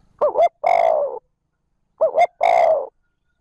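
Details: Decoy spotted dove cooing smoothly to provoke wild doves: two phrases, each two wavering short notes and then a sustained mellow coo, clean quiet recording.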